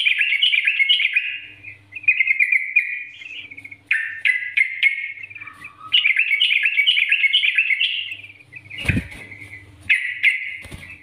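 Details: Yellow-vented bulbul lure song for training: a run of chattering, bubbly warbled phrases, one dipping lower, with brief pauses and a sharp click near the end over a low hum.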